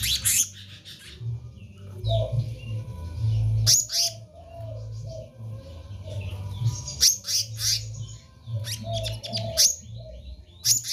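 Black-naped Monarch giving harsh, sharp chattering notes in scattered bursts every few seconds, over a steady low hum.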